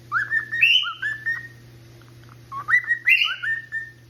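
A male cockatiel sings a bright, whistled phrase of rising and wavering notes, repeated twice.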